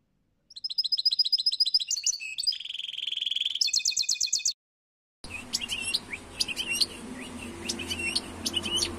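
A European goldfinch sings a quick, tinkling twitter of high liquid notes mixed with buzzy trills. After a brief pause, more twittering follows over a noisier background with a low hum.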